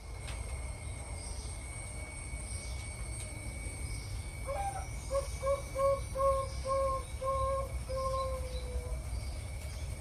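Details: Zebra dove (Geopelia striata), song.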